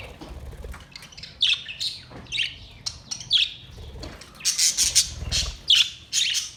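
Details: Budgerigars recorded 22 May 2023 giving a lively warble of high, bright chirps and twitters, sparse at first, then in rapid, dense bursts.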